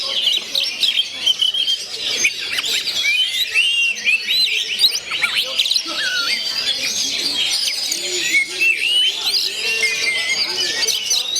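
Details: Oriental magpie-robin of the gondo mayit type singing loudly; a dense, varied stream of high whistles, sharp upward and downward sweeps and rapid chirps, with faint voices in the background.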